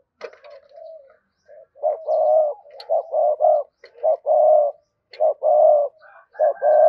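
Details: Cooing spotted dove, gù gáy gọi hai hậu style, played to provoke a newly caught dove; after soft opening notes, loud mellow low coos come in repeated pairs of brief then drawn-out notes.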